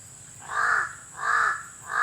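A crow gives harsh, hoarse caws, three in about two seconds, each a rasping burst, with a faint steady high hiss behind.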